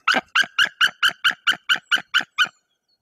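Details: White-tailed eagles at their nest in Woziwoda, Bory Tucholskie, Poland, reacting to an intruding adult eagle while the female guards the clutch and the male drives the stranger off: eleven sharp, ringing yelps in a fast, even series, then silence.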